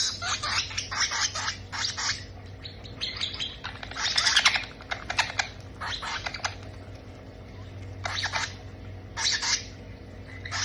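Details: Parrot chicks being fed, giving rapid, harsh, rasping begging bursts in quick clusters, with pauses and a louder raspy stretch near the middle, over a steady low hum.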